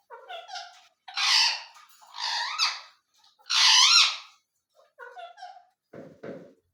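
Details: Ring-necked parakeet vocalizing in a talking-parrot setting: loud, harsh, harmonic screeches in three long bursts with rising-falling bends, framed by softer chattering notes and a brief low rasp at the end.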